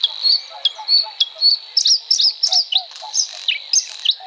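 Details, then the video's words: Bluethroat (Luscinia svecica) singing: a fast, varied run of sharp high chirps and short twangy notes, some rising and some falling, about three per second, with a steady high hum and faint lower notes behind. "08:10-11:17 - Bluethroat (Luscinia svecica)"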